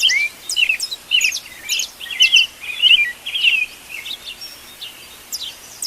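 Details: Birds singing at daybreak in the wild: bright chirps repeated in quick bursts nearly twice a second, with thin high notes layered over them and brief gaps between phrases.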